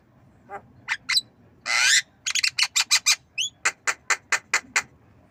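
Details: Javan myna, nodding and learning to cough, gives a rough broadband burst, then a steady run of about a dozen short clipped harsh notes spaced evenly, with one brief upward-swept whistle near the middle.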